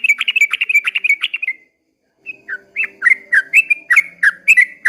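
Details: A dawn 'ropel panjang' song from a sooty-headed bulbul: a fast chattering burst of notes, a brief pause, then spaced whistled notes that rise and fall, clear and loud.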